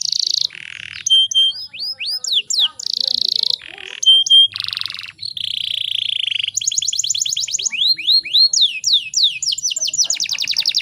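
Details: Female canary in breeding condition, used as a lure to provoke males into singing: bright whistled notes, buzzy bursts and fast rising sweeps, then long rapid rolling trills of repeated chirps, loud and clean.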